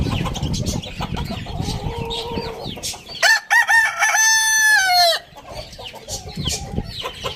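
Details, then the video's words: Rooster crowing in the morning on a farm in a village: one loud, drawn-out crow of several stepped, harmonic-rich notes lasting about two seconds, preceded and followed by busy clucking and chirping from other fowl and small birds. "Rooster morning crowing sound in the farm village"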